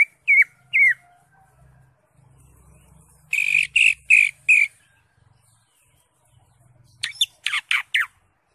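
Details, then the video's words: Greater green leafbird in full ngentrok song with mixed fill notes: two hooked chirps, a pause with faint low hum behind, a group of four harsh, loud chirps, then a quick cluster of sharp rising notes. "CUCAK HIJAU (ijo) NGENTROK JAMBUL GACOR FULL ISIAN"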